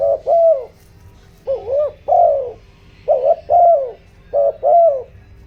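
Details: ["Spotted dove decoy calling in 'giọng đồng' style, urgent cooing to make wild and decoy doves eager. Quick run of paired coos, some notes wavering, each pair a brief note then a longer sliding one."]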